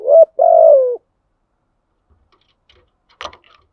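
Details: Spotted dove cooing as a lure for wild doves: a short hoot then a long, soft, falling coo, followed by silence and a faint click near the end.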